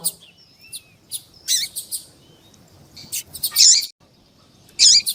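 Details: Double-collared seedeater in coleiro tuí tuí song with a female calling, meant to excite a male: thin whistles and high chips, then loud harsh buzzy bursts separated by short pauses.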